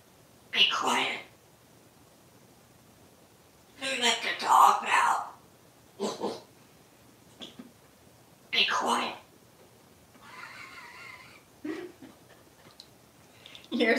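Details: Pet parrot speaking human words while kissing and snuggling its plush parrot toy, telling it to be quiet and asking it to step up; several short speech-like phrases separated by pauses, in a small quiet indoor room.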